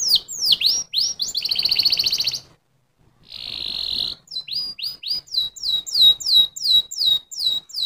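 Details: Canary alternating sweeping whistles with a dense buzzy roll, a short silence, another buzz, then a steady series of repeated downslurred notes.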